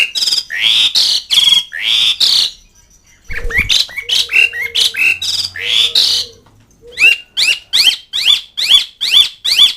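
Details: Asian pied starling calling to friends and rivals, a dense run of loud grating squawks and chattering notes, a brief pause, then quick evenly spaced harsh calls.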